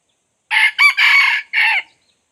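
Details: Red junglefowl crow used as a decoy to lure wild junglefowl: a loud, harsh four-part crow with a short opening note, a brief rising middle syllable, a long drawn-out harsh note and a shorter closing note, in clean silence.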